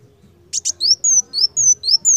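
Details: Purple-throated sunbird singing energetically in a tutoring recording: two quick buzzy bursts, then clear, high whistled notes that slur downward, given one after another in a rapid run. Low, faint background hum.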